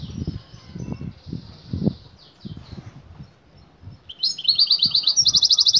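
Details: Excited female European goldfinch calling for a male to mate, locally called batbata: soft thin calls at first, then a loud rapid rattling trill of evenly repeated high notes, with dull low thuds throughout.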